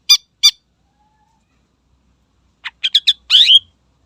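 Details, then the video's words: Greater green leafbird singing energetically, used to provoke and anger rival birds; two harsh, buzzy squawks, a pause, then a quick run of chirps ending in a rough slurred phrase. "Suara Burung Cucak Ijo Gacor Istimewa Membakar Emosi Lawan"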